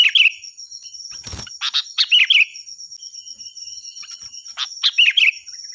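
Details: Sooty-headed bulbul training song, loud and shrill, with several bubbly warbled phrases and sharp clicks repeating roughly every few seconds amid a high constant insect whine and a brief rustle.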